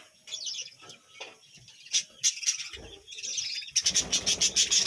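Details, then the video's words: Budgerigars in a colony kept at a village home, chattering with high, scratchy chirps; quieter twitters at first, then a dense burst of rapid, buzzy notes toward the end. "বাজরিগার পাখির ডাক ও কিচিরমিচির গান"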